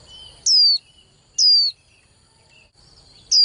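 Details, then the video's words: Young female white-eye, used to stir male birds into more vigorous singing in contest bouts, repeating a thin, high, falling whistle roughly once a second, three calls over a faint continuous high tone. "KHUYÊN MÁI TƠ - Kích Trống Líu Đấu Sung Hơn Mỗi Trận"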